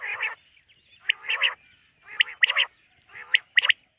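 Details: Quail at night, as hunted locally: rough, buzzy bursts mixed with sharper high notes, grouped in twos and threes about once a second, sounding harsher and less crisp than a clean whistle.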